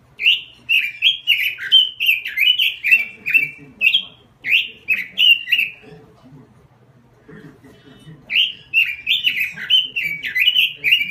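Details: Indonesian robin lure song, a non-stop singing recording used as a tutor for other birds: quick rich warbled whistles repeated in rapid bouts, a brief pause with soft low rustling in the middle, then the lively warbling resumes.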